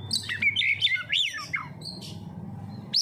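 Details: Kacer, the oriental magpie-robin, in pancingan lure song: a quick burst of bright, wavering whistled slurs and chips, then a short pause before a rising whistle, with a low background hum.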